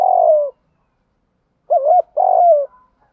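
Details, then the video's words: A decoy spotted dove cooing to lure others: the tail of a long falling coo, a pause, then one full phrase of a rippling double note and a sustained, gradually lowering coo. "chim cu gay moi thuc gu cu datgay giong hay, cu gáy giọng đồng gù thúc, cu cườm gáy giọng hay"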